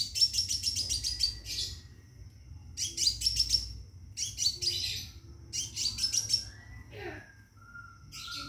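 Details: Scarlet minivet kept in a cage, calling for a female to mate, repeats quick high buzzy trills in regular bursts roughly every one and a half seconds; a faint lower whistle follows near the end.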